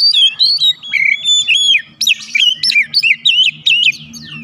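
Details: White-rumped shama singing to provoke a response from other birds: a rapid stream of loud whistles, sliding notes and quick wavering trills with crisp high chips, over a faint low hum.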